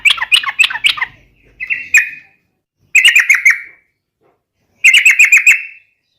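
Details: Rival-provoking fighting song of a yellow-vented bulbul: four short chattering bursts separated by pauses, each a fast string of bubbly notes repeated in quick succession, clear and loud.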